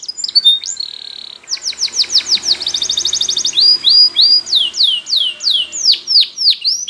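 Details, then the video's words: Spanish Timbrado canary training song: a short held tone, a rapid rolling trill of clipped notes, then slower loud descending whistled sweeps repeated about twice a second, over faint background hum. "Timbrado Canary's Most Powerful Singing For Training"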